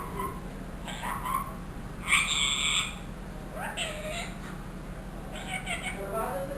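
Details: Trained ringneck parrot, a one-year-old pet, mimicking a cat's meow and human words: bright, raspy, wavering meow-like calls, one loud burst mid-way and softer rising notes after, against a constant electrical hum indoors.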